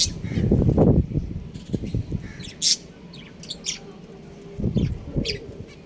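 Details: Breeding pair of pet budgerigars chirping at home: short sharp high chirps and squeaky notes in irregular bursts, with a loud low rumbling background of handling or movement noise.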